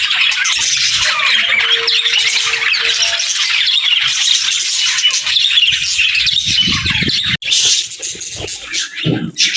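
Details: Budgies in pairs chatter continuously with high, buzzy warbles and quick chirps; a short low hum appears near the start, then a brief break and a few soft thumps toward the end.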